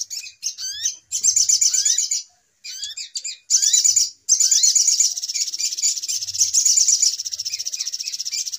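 Little Spiderhunter giving rapid, high, sharp chattering notes in dense bursts with short pauses, building into a fast continuous trill toward the end.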